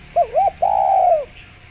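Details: Clear-voiced spotted dove recorded as a lure for other doves: a quick pair of arched coos, then a sustained, smooth coo that gently rises and fades, with a faint hum underneath.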